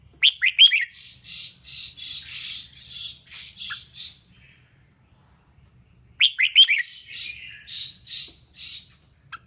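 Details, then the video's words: Red-whiskered bulbul female in song, used to excite males into singing. A sharp slurred chirp phrase starts a run of rasping, buzzy notes, then pauses and repeats the same chirp-then-rasp sequence. "Kích chào mào mộc hót! Tiếng chim chào mào yếu lửa hót không đè"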